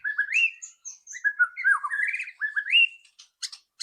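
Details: White-rumped shama singing a loud ketrekan song as a lure for quick singing: continuous rich warbling with upward-swooping whistles, ending in sharp, clicky high notes.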